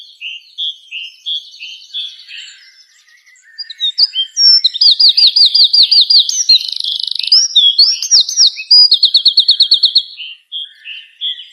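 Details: A bird perched on dry wood chirps at sunrise among trees, giving high whistled notes and long, fast buzzy trills repeated in quick succession, with sharp chirps between.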